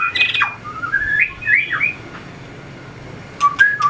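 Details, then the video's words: White-rumped shama being trained for contest (fighting) singing, flicking its tail and hopping along the perch; loud whistled phrases sliding up and down, then a pause before a short burst of clear notes. "luyện chòe lửa hót đấu,đập đuôi chạy cầu"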